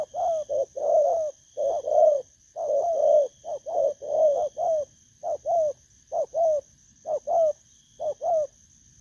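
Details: Wild-caught spotted dove cooing: low, mellow coos in short clipped notes and longer rolling phrases, repeated about once a second with uneven gaps. A steady high electronic whine runs throughout.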